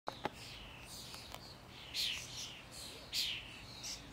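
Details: Common starling at Žale cemetery, Ljubljana, Slovenia, on 19 May 2023: a few clicks followed by two short, high, rasping whistled phrases about a second apart, over steady outdoor hiss.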